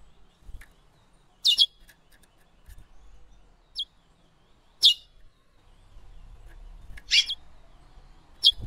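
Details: Female curió, the chestnut-bellied seed finch, giving isolated short, sharp high chirps spaced one to two seconds apart, five clear notes in all, with a soft low rumble between them.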